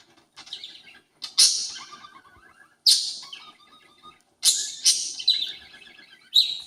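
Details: A pet parakeet mimicking the household conure gives harsh, high, screechy bursts every second or two, with soft chattering warbles between them.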